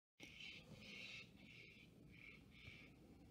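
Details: Steller's jay, harassed by a hawk for days, giving harsh, raspy scolding alarm bursts, about five in a row, each under half a second, over a low outdoor rumble; recorded 23 October 2023.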